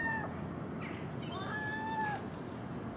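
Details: Common gull feeding on scraps from garbage at dawn near a house, magpie and crow nearby; a brief cry, then a long, slightly rising, nasal mew that droops at its close.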